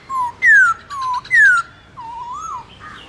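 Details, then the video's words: Morning forest-style song from a trained Black-throated laughingthrush: several loud, clear whistles sliding downward, then a lower, softer warbling whistle. "Khướu bạc má hót đấu giọng rừng buổi sáng"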